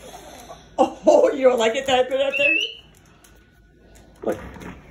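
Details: Pet Moluccan cockatoo singing indoors while playing with its owner: a wavering, warbled harmonic phrase lasting about a second and a half that ends in a short rising whistle, followed after a pause by a brief second burst.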